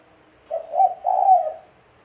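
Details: Spotted dove, called tekukur, used as a lure for trapping; one soft low coo phrase, a short note then a longer drawn-out hoarse coo, in a quiet setting.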